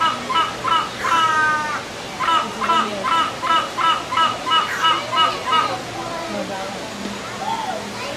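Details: Hornbills singing back and forth to each other: nasal, honking notes repeated about three times a second in a steady rhythmic series, fading out toward the end over a steady background hiss.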